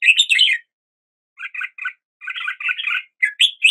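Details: Brief red-whiskered bulbul song: a quick bubbly phrase, a pause, a few clipped chirps, then a jumbled run of notes ending in two rising whistles.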